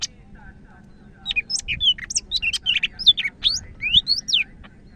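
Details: Greater green leafbird from Medan in full, lively song: rapid run of high, sharply slurred whistles and squeaky chirps, varied and jumpy in pitch, delivered in a dense stream of roughly fifteen notes with faint low background hum.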